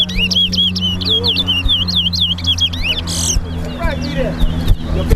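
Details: Caged lesser seed finch, known locally as towa towa, singing in a bird race competition at Lusignan bird ground, Guyana; a quick series of clear, sweeping whistled notes repeated about twice a second, while a man counts aloud over a low background hum.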